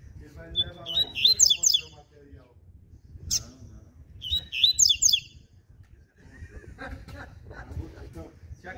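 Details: Morning song of a double-collared seedeater in the ziper style: two quick phrases of high, sharp, rattling notes about three seconds apart, followed by people talking in the background.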